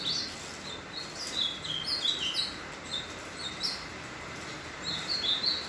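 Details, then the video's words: Ultramarine grosbeak completing its moult while singing: scattered bursts of high, sweet warbling notes, some rising and falling, spaced through the clip against a low constant hiss. "Azulão CASCÃO finalizando a muda e cantando."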